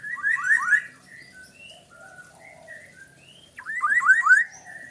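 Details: Black-naped oriole (kepodang) in song: quick series of fluty, downward-sweeping whistles in two bright bursts, with scattered softer, higher notes between them.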